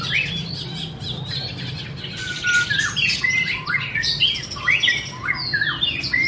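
A dense, varied run of bright whistles, chirps and slurred notes, overlapping and unbroken, possibly from more than one bird, over a low steady hum.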